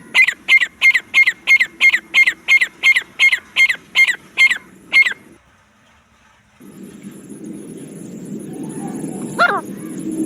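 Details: Jungle francolin calling: a quick series of about a dozen sharp, evenly spaced ringing notes, then a pause and a stretch of broad rural background noise with one faint rising squeak.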